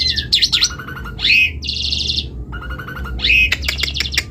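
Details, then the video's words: Asian pied starling in full gacor song, a varied jumble of harsh buzzy bursts, rising slurred whistles and short chattering note runs. Phrases are separated by brief pauses, over a steady low background hum. "Jalak Suren Gacor Super"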